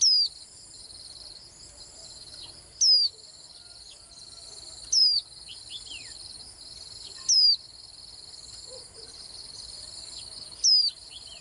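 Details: Swinhoe's white-eye giving five thin, high whistled notes, each sliding quickly downward, spaced about two to three seconds apart. A few fainter short chips sit between them, all over a constant shrill insect drone.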